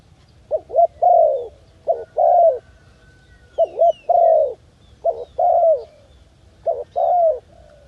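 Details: Jungle dove repeating a cooing phrase: a quick double note, then a longer smooth coo that dips at the end, given four times with short gaps.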